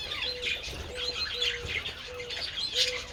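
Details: Budgerigars enjoying treats in the sun, 27 February: high chirping chatter over a repeated short, flat, lower whistle sounding about every half second.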